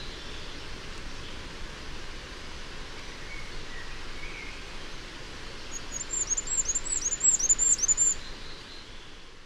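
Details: Male Firecrest on a territory in Gwent, whose own song sounds cut off and which also gives bursts of Goldcrest-like song: a quick run of very high, thin, needle-like notes, about eight in two seconds, over rushing hiss.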